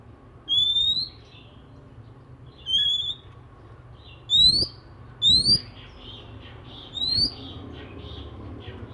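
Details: Morning song of an oriental magpie-robin, said to prompt other magpie-robins to join in: five clear, bright, upslurred whistles spaced one to two seconds apart, with soft scratchy twitters between them and a low background hum.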